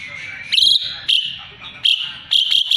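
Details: An Asian pied starling, used as a song tutor for magpie-robins, gives bright, high phrases copied from magpie-robin song: four quick bursts in under three seconds over a steady thin cricket-like tone.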